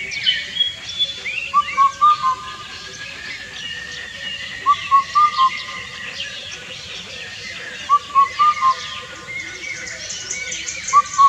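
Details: Four-note whistled song of an Indian cuckoo, phrases repeated roughly every three seconds with gaps between, the notes steady and hooting, while other birds twitter and chirp quietly in the background.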